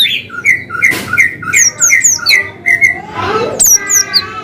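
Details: Cinereous tit singing energetically in a long-whistle variation used to coax quiet birds into song: quick paired whistled notes repeated about twice a second, mixed with higher sliding whistles and a short scratchy noise burst.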